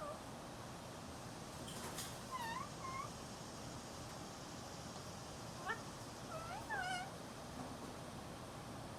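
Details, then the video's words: A female parrot talking to her reflection: short clicks, then scattered bursts of thin harmonic chirps, some rising and falling, spread over several seconds against steady background hiss. "Parrot 🦜 talking to her reflection"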